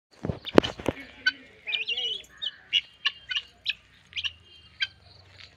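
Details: Guinea fowl about 4 to 5 months old, a series of short harsh, buzzy calls repeated every few tenths of a second, some with a rising note, after a few sharp knocks at the start.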